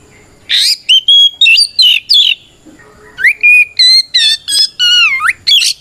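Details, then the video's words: Kacer, an Oriental magpie-robin, sings a ngeplong fighting song that calls out opponents: bursts of ringing whistles and swooping slurred notes, a brief pause midway, then another rapid run of bright phrases. "Suara Burung kacer gacor NGEPLONG tarung"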